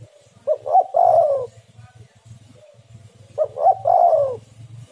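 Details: Lure call of a spotted dove (tekukur, derkuku) meant to get captive doves calling: a pair of phrases, each with two short rising notes followed by a drawn-out descending coo, over a low droning background.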